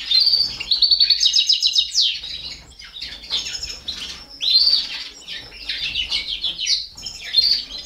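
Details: Four baby canaries fed by a captive Balkan goldfinch: high-pitched begging chirps in loud, rapid bursts about every two to three seconds, separated by softer scratchy twitters.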